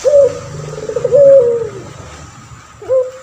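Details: One long coo from an actively calling male puter pelung dove kept to tutor other birds, tremulous then gliding downward, followed after a short gap by the start of another phrase.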